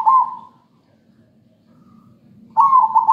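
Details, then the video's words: Zebra dove singing, used as a lure for training other birds: two short bubbling, trilled coo phrases separated by about two seconds of quiet. "Suara perkutut gacor buat pancingan"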